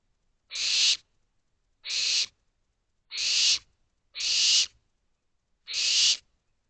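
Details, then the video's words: Nest-box barn owl chicks begging for food at night, late May 2023: five rasping, breathy hisses of about half a second each, spaced evenly about every 1.2 seconds, with a quiet background. "Owlets Calling For More Food"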